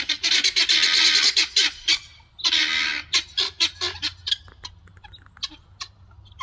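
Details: A flock of helmeted guineafowl (Numida meleagris) noisily foraging for food in a yard gives harsh, grating, rapid chattering calls in loud bursts, then a string of sharper separate notes that fade toward the end.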